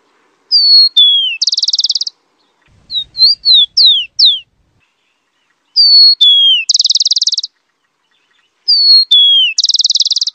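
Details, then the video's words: Three songs from a rufous-collared sparrow, each a high steady whistle, a lower falling whistle and a quick rattling trill. A burst of sharp downslurred chips follows the first song. "SUARA HEWAN SUARA BURUNG TICO TICO"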